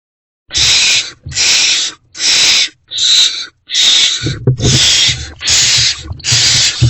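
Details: Barn owls at a nest box at night, 2:15 to 2:33 am on 28 February 2024, during food deliveries; harsh broadband hissing screeches, each about half a second, repeated roughly once a second in a steady series, with faint low thumps beneath.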